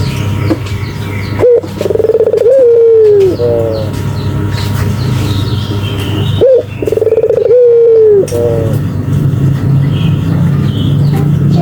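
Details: A Barbary dove repeats its coo twice, each a quick upward note and then an extended vibrating coo that sags in pitch, with a few soft follow-up notes, against a constant low drone.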